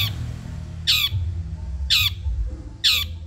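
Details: Long-tailed shrike of the Madura type, heard on a training recording for caged birds. Three loud, rasping squawks drop sharply in pitch, each about a second apart, with low rumbling noise between them.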